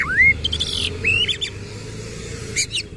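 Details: Oriental magpie-robin (kacer), tail spread, giving harsh 'isian kasar' song: a strong upward-slurred whistle, then a raspy broadband note and softer chirps, with a few sharp ticks near the end.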